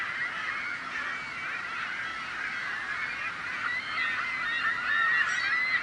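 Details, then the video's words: Seagulls calling as a crowd to drive off predators: dense overlapping squealing and wavering cries throughout, with a few higher, clearer calls rising above the mass near the end. "The Sound of Seagulls | Why Are Seagulls So Noisy?"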